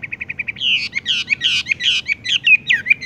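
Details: Horsfield's bush lark singing in a style called 'tung roll gantung, langsung ngerol': a run of six short identical chirps, then louder, rich, warbled and slurred phrases, some falling steeply, delivered rapidly over three seconds.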